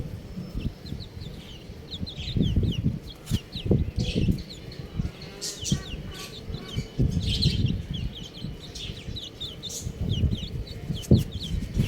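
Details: Several buff baby chicken chicks chirping: thin high peeps, each a quick falling or rising slide, tumble out irregularly over low thumping and rustling handling noise.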